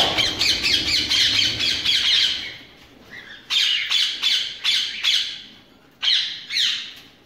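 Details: Ringneck parakeets kept for breeding with mixed birds: a rapid burst of harsh grating squawks, a short pause, then separate loud screeches in twos and threes.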